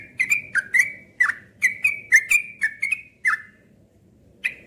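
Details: Cream-vented bulbul delivering a fast string of about a dozen short, bright notes with crisp attacks, then a second of silence and one final note.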